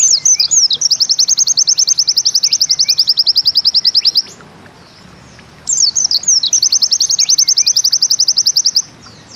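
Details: Pleci (white-eye) repeating its Bustomi-style 'nembak ziperrr' song twice. Short swooping high notes precede each long, rapid trill of identical chips, with a few seconds of quiet between the songs.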